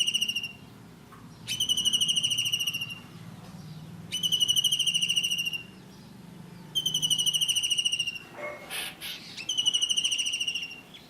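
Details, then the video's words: In India, a blue kingfisher gives high, thin, shrill trills of rapid pulsed whistles, each lasting about a second and repeated roughly every two to three seconds. Brief scraping noises sound between the later trills. "Blue Kingfisher Bird call || Real sound of Kingfisher"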